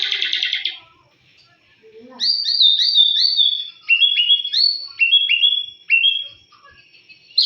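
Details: Lure song of a white-rumped shama meant to provoke rival shamas: after a short buzzy burst and a pause, rich whistled phrases follow in quick stepping sequences, each phrase of slurred notes separated by brief gaps.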